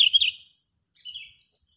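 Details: Sooty-headed bulbul giving an agitated, angry call used as a lure for trapping birds: a quick tumbling burst of bright, high chirps, then after nearly a second's pause a thinner, shorter chirp, with nothing else audible.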